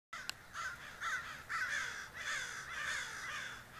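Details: A flock of more than 20 crows gathered on a roof, giving harsh, nasal caws in a rapid, overlapping series, about two calls per second with several birds calling at once.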